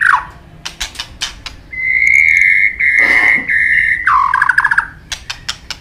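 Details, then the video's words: White-rumped shama training song with many forest-style phrases: sharp clicks, then a long steady loud whistle, a dropping buzzy note and scattered ticks. "Luyện Nhiều giọng dài cho chòe lửa cực chất. chòe lửa kéo dây đảo nhiều giọng rừng. tạch đập đuôi"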